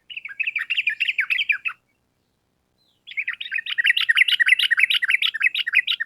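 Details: Loud sooty-headed bulbul song in long rapid-fire style, used as training sound for kept birds. Two bursts of fast, warbling, rhythmic notes, about three per second, separated by a short gap, the second burst longer.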